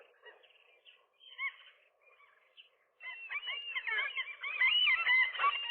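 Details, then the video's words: Rooftop gulls in early April, a nesting couple wrestling with a single gull that tried to get between them in the morning; scattered soft calls first, then a loud, frantic overlapping chorus of yelping, squealing cries. "seagulls, gull wrestling"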